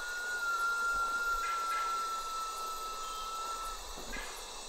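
A White-winged Potoo gives one long, pure whistle, held steady for nearly four seconds and sliding gently downward. A constant hiss of insects fills the background.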